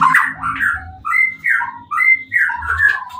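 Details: White-rumped shama, kept in a cage, singing to goad rival shamas into answering; rich, fluty whistled phrases in short bursts, some rising and some falling, with a soft low hum beneath.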